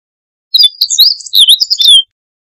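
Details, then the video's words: Song of a meadow bunting: a fast jumble of high twittering, sweeping and dipping notes lasting about one and a half seconds, finishing on a falling whistle, in an otherwise silent recording. "Escribano Siberiano"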